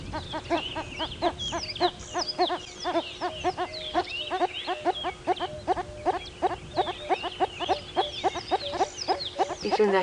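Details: Red-crested korhaan on a South African game reserve at sunrise in November gives a long run of sharp, ringing notes, about three a second and steady in pitch, during an arena display where two males compete near a suspected female; faint music behind.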